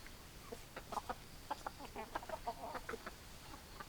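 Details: Hens clucking steadily, a busy run of short, throaty mid-pitched clucks, some doubled or tripled, coming every fraction of a second before thinning out near the end.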